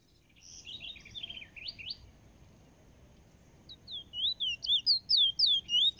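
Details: A Chestnut-bellied Seed-Finch from Trinidad sings a brief high twittering phrase, then a fast run of sweeping whistled notes, about three each second, over faint background hiss.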